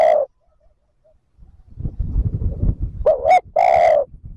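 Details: Spotted dove cooing for luring wild birds: one coo ends, a pause and low rumbling noise follow, then a short double-humped note and a long loud resonant coo.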